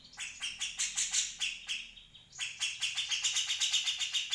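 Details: Grey-cheeked Bulbul song recorded for tutoring other birds: two bursts of rapid, bright repeated chirps, the second faster and steadier, separated by a short pause.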